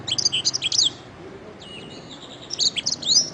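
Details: Canary song meant for training songbirds: a short burst of high, buzzy chirps and swept notes, a thin sustained whistle, then a brief trill ending in a rising whistle.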